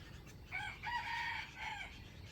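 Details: Trap wild chicken, dated 05/07/2025, crowing once: a short opening note, then a long strained hoarse middle and a brief falling tail, over steady low rumbling background noise.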